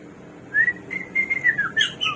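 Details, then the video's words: Hwamei (samyong, garuwa), described as a bird of 1001 voices, giving a short series of clear, slurred whistles at steady pitch that dip at the ends, with a brighter note near the close. "KICAU BURUNG SAMYONG //GARUWA 1001 SUARA"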